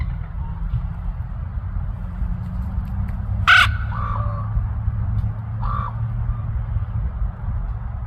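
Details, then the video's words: Common ravens in Anchorage, Alaska: one loud, abrupt croaking call, then a weaker second call about two seconds later, over a steady low rumble. "Alaskan Ravens"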